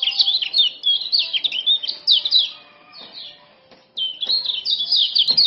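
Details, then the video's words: Common iora, a Lombok male, used as tutoring and lure sound for caged birds: very rapid, loud high chirping phrases, a brief lull near the middle, then another fast twittering run. "Kecial Kuning Jos Super Speed Tanpa Ngeriwik"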